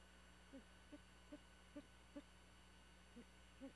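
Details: Great horned owl murmuring at 2:19 am from a nest camera on Skidaway Island, Georgia, in an abandoned bald eagle nest 75 ft up a nearly dead pine. Soft low hoot-like notes, roughly two or three per second, with a pause before the last two, over a steady electrical hum.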